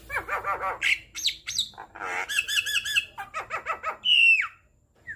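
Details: Varied Javan myna singing for training captive birds: wavering nasal notes, squawks, rippling harmonic phrases, clipped chatter and a loud falling whistled squeal, ending in near silence.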